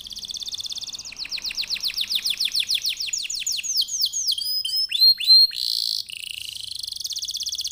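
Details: Canary in full song, played to lure other birds into singing: a steady rapid trill leading into a long run of falling swept notes, about four per second, then twittering, a loud buzz and renewed fast trilling.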